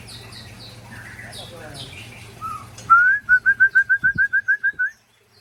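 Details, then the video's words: Ujong Pancu and Tangse white-rumped shamas from Aceh sparring. Soft mixed chatter gives way to a loud, clear whistled series of about a dozen identical upslurred notes, evenly spaced, ending abruptly in silence. "Murai Ujong Pancu sparing dengan Murai Tangse"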